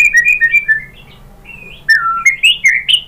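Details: White-rumped shama singing to provoke a reply: a string of clear whistled notes, a soft rising slur, then a quick burst of bright, varied whistles and chirps.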